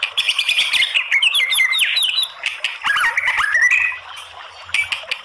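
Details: Female white-rumped shama calling, played to provoke rival shamas: rapid bursts of bright, swooping whistled notes and harsh chatter, then quieter scattered chirps and clicks toward the end.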